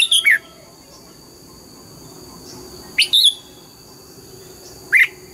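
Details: Old red-whiskered bulbul from the wild, trained to sing in the morning with double-note (âm kép) phrasing; short two- and three-note whistled bursts arrive roughly every two to three seconds above a faint constant hum.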